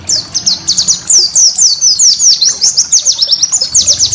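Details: White-eye (pleci) master song used for training cage birds: a rapid, unbroken string of high, sharply descending whistled notes, several per second, with steady energy throughout.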